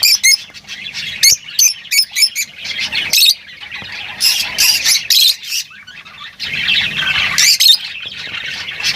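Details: Lovebird calls: bursts of shrill squeaky chirps and harsh squawks in irregular clusters, with a dense chattering stretch toward the end.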